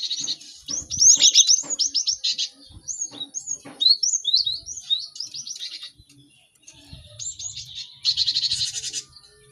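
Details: Lively cinereous tit singing, intended as tutor sound for fast learning: rapid high trills and sharp slurred whistles, a near-silent gap, then a harsh buzzy burst toward the end.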